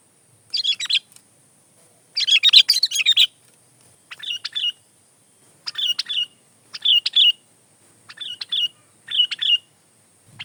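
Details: Kutilang, the sooty-headed bulbul, singing gacor-style for masteran tutoring or pikat luring: short bursts of bright chirpy notes recur roughly every second, some richer and longer, over a faint steady high hiss.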